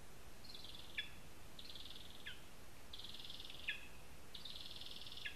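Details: From a spruce nest in Zemgale, Latvia, a lesser spotted eagle utters four high, level, slightly rough whines, each nearly a second long and ending in an abrupt falling tail. Evenly spaced over soft background noise.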